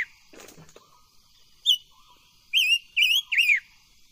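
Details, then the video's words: Song of a silver-eared mesia during voice training: a soft rustle and knock, then a lone high note. Three warbling whistled notes follow, the last falling away. "Tiếng chim ngũ sắc hót hay luyện giọng ngũ sắc"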